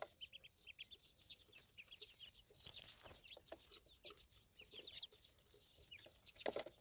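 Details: Ducklings keep up a steady chorus of bright, high peeps, rapid and overlapping, growing busier toward the end.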